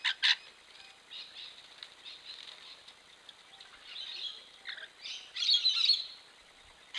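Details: Rainbow lorikeets bathing before a camera trap; scratchy chattering screeches come in bursts between soft splashing and wing flutters, with a louder harsh burst near the end.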